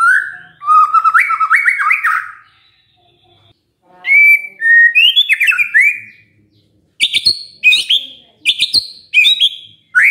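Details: White-rumped shama song used as a lure to prompt other shamas to answer: rich whistled phrases around mid pitch with stepped rises, a pause, then higher slurred notes and a run of sharp, clipped high chips.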